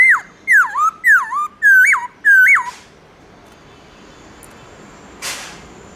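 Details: A black-throated laughingthrush sings its wild-type morning song: five loud, rich whistles in quick succession, each swooping down then curling up, before falling quiet apart from a brief rustle.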